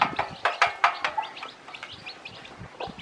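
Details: Hen teaching her many newly hatched chicks to eat: a few loud, sharp clucks at the start, then quieter high, curving chick peeps.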